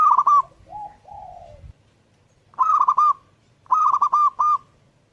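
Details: Zebra dove (perkutut) singing persistently: quick stuttering coos run together into rolling phrases, three bursts in five seconds, separated by a softer, lower drawn-out note and brief low rumble.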